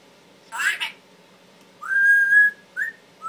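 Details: Pet male Timneh African grey parrot, which mimics words and sounds, gives a brief rough speech-like burst, then a long rising whistle held steady, followed by two short whistled notes.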